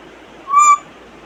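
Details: Pet African grey parrot, one of 23 imitated sounds: a single clear, steady whistled note lasting about a third of a second, rich in overtones, against a quiet indoor hiss.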